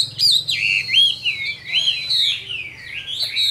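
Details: Chinese hwamei, a wild-caught mature cage bird in Vietnam noted for its good voice, gives loud looping whistles that rise and fall in smooth, slurred phrases with no other sounds heard.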